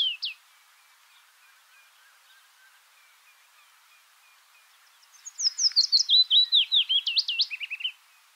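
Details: Willow warbler: a brief note at the start, then quiet, then a full song phrase of bright whistled notes running downward in a soft, rippling cascade for about two and a half seconds.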